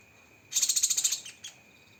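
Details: Cucak kinoi song with rapid 'tembakan' phrasing: a single high, buzzy trill of about a dozen quick pulses lasting under a second, then a short faint echo note, over a thin steady background tone.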